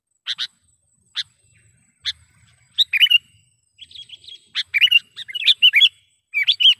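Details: Sooty-headed bulbul lure call for trapping wild bulbuls: a few sharp isolated ticks, then increasingly dense bursts of bubbly, chattering chirps toward the end.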